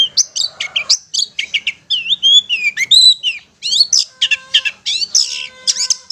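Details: Long-tailed shrike in ngetet style, intended to stimulate stressed or quiet shrikes; quick varied chatter of sharp chirps, rising and falling whistles and mimic-like slurs, roughly eighty notes a minute.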